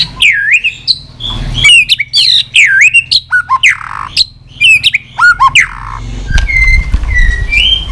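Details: White-rumped shama with continuous tach calls, played to spur weak birds: rich, varied whistled phrases with swoops and downslurs, ending in softer steady whistles over low background rumble.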